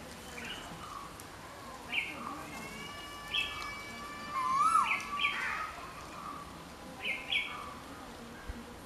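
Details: Yellow-footed green pigeon, locally called hariyal, calling with level drawn-out whistles that lead into a looping, wavering whistle. Brief bright chirps from other birds repeat in the background.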